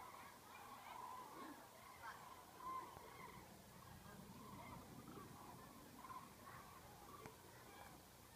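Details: Common cranes in a huge migrating flock over Dillenburg, Germany, 19 October 2013, before landing to rest because of bad weather and turning wind; distant overlapping trumpet-like calls, some clearer single notes standing out, plus a low rumble.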